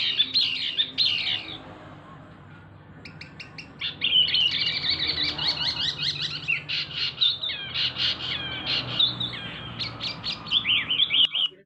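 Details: Male Javanese mini wambi, a small local bird singing loudly: a busy, rapid run of chattering and twittering notes with quick up-and-down sweeps, nearly continuous after a short pause near the start.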